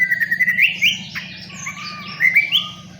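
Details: Long-tailed shrike song: a string of bright rising whistled phrases and squeaky notes, fairly loud and continuous, over a constant low background hum.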